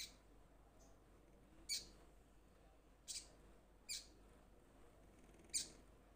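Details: Crimson sunbird, a young bird in moulting plumage that has begun calling freely, calling to its companions: four sharp, very high, clipped notes spaced one to two seconds apart over quiet background hiss.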